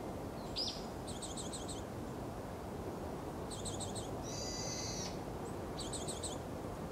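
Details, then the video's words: A Japanese tit calls busily in quick bursts of high, thin doubled notes, with one longer buzzy rasp, over a steady low rumble of background noise. "シジュウカラ 忙しく鳴く"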